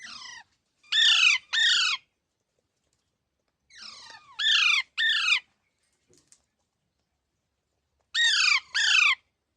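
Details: Green Indian parrot giving harsh, buzzy squawks in three bouts. Each bout has a soft lead-in note and then two loud down-slurred screeches. The bouts come about every three and a half seconds, with silence between them.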